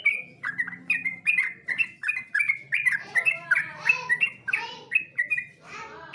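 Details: Yellow-vented bulbul master song for competition: a fast run of about two clipped whistled notes per second, turning into denser, harsher chattering phrases mid-way before returning to clear notes.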